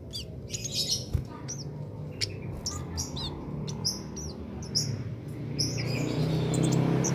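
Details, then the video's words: Cit keres singing without doping, meant as a master recording for training songbirds; quick series of high whistled, slurred chirps repeated several times a second, while a low rumbling noise swells toward the end. "Cit Keres Nembak Buat Masteran"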